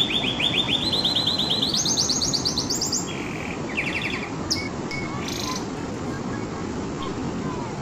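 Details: Canary trilling in stepped phrases that rise higher each time for about three seconds, then a low buzzy roll and scattered brief high notes before the song fades into steady hiss.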